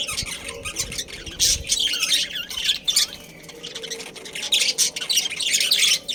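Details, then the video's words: Budgerigar breeding colony held in captivity in Karachi gives loud, harsh squawking chatter in long overlapping bursts, dense and raspy with little pause. "Budgies Breeding Pair"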